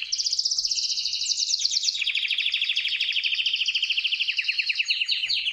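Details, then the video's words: Canary singing to court a female: a continuous dense high warble of rapid trilled notes, shifting through several tours with layered rattling and whistled elements throughout. "É assim que o canário canta quando quer galar a fêmea!!!"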